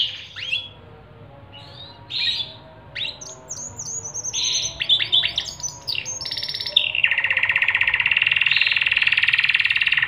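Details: Panda canary singing an ornate cengkok-style tutor song for young canaries: varied bright chirps and short whistled notes in bursts, then a long, fast, even buzzy trill held for the last three seconds.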